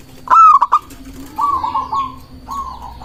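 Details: Local zebra dove song, played to draw in doves and make rivals respond: one bright rising whistle with clipped notes, followed by two long rolling trills of soft coos.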